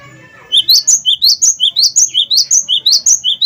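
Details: Gelatik batu of the wingko type, used as a lure to get other birds singing; fast, steady run of high whistled two-part notes, alternating lower and higher, about fifteen in three seconds.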